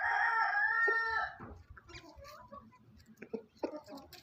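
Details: Rooster recorded on a farm giving a loud, harmonic-rich crow lasting over a second, followed by soft, scattered clucks and low grunting notes.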